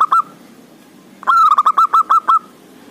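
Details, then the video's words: Loud local male zebra dove calling, a lure to set quiet doves cooing: a short double note, a pause, then a fast string of eight clipped, mellow cooing notes on one pitch, crisp against a quiet background. "Suara Perkutut Buwat Pancingan Perkutut yg malas bunyi"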